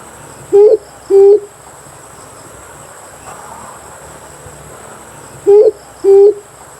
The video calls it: Amethyst brown fruit dove🕊️ClearSound